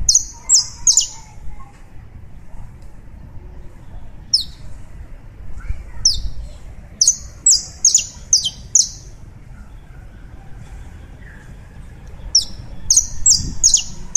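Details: Colombian saffron finch in full song: clusters of rapid, shrill, downslurred chirps, three to six per burst, separated by short silences, repeated across the recording over soft low noise.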